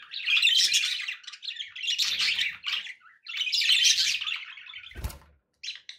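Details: Budgerigars singing loudly, sounds to encourage a pet parrot to eat and sing: long dense passages of raspy, squawky chattering warble, then a sharp click and a brief final chirp.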